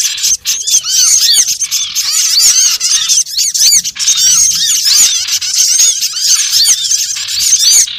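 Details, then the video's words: Lure recording of small birds used for trapping: a dense, continuous chorus of high, overlapping chirps and short upswept notes, many birds calling at once with barely any pause across the eight seconds. "suara pikat burung kecil MP3 paling ampuh"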